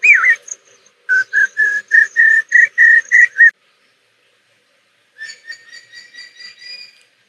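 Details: A juvenile changeable hawk-eagle near 6 pm on a summer evening in Bandipur National Park, Karnataka, in deciduous forest. It opens with a slurred whistle, then gives rapid high, clear whistled notes, about four per second, and a second run after a pause.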